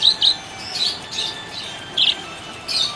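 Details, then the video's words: A happy budgerigar lets out crisp, high, squeaky chirps in separate bursts spaced about half a second to a second apart, with near silence between them. "Happy budgie chirping sound"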